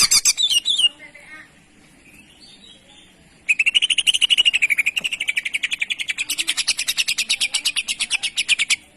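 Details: Greater green leafbird (cucak ijo) in a master song recording: a loud opening burst of high chirps, a quieter warbling pause, then long rapid trills of sharp repeated notes, about two or three per second.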